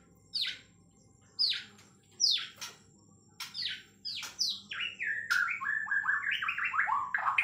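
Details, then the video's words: White-rumped shama from Kalimantan, Borneo, singing at length: steeply falling whistled notes repeated about once a second, then a fast sequence of clear whistles stepping up and down in pitch, with a few knocking sounds. "Murai Batu Kalimantan nembak panjang"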